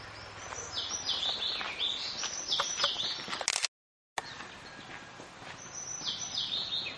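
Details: Scarlet minivets, red males and yellow females, at Maredumilli in the Eastern Ghats, Andhra Pradesh, India, in January 2011: repeated high, thin, downslurred whistled notes in short series, with faint background birds and rustling.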